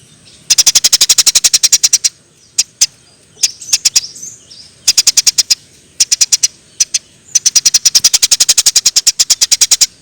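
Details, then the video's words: Eurasian tree sparrow used as tutor sound for songbirds: long rattling trains of very rapid high chirps lasting over a second each, broken by a few isolated notes and faint buzzy calls, then another extended chirp run. "Kompilasi Masteran Burung Gereja Gacor"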